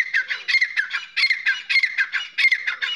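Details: Grey francolin (dakhni teetar) calling: rapid harsh, squawking notes about twice a second, each with a scratchy downslurred element, in a continuous rhythmic series with no other sounds.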